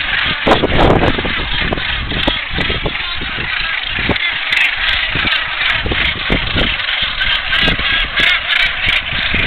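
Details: Northern gannet nesting colony on Great Saltee Island, Co. Wexford, Ireland: a dense din of harsh, grating calls overlapping without pause, with a low rumble of wind underneath.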